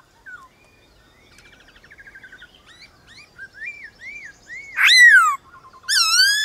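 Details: Wild White-cheeked laughingthrushes in a morning singing duel: soft trills build into looping whistled phrases, then loud, rich, falling calls ring out twice near the end.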